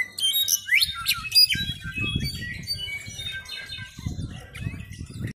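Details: Brown-backed solitaire; juvenile song; young bird practising its song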